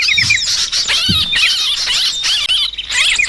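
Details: Noisy sooty-headed bulbul chatter used for luring birds: several birds call over one another in bright, bouncing chirps and short slurred whistles, with a brief low thump near the start.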